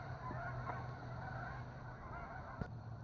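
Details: A large goose flock, hundreds strong, heard as a quieter blur of overlapping honks over a prominent low hum, with a brief click near the end.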